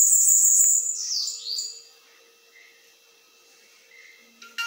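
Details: Bananaquit in metralhadora song style opens with an intense high sibilant buzzy trill, followed by a few descending thin sweeps. Then near silence with faint distant chirps, a steady low hum and a brief knock at the end.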